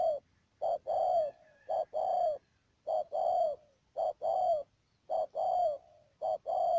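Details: Decoy spotted dove used for trapping in Ca Mau, Vietnam, March 2019, cooing steadily in paired phrases of a brief note and a longer falling note, repeated about once a second against a quiet background.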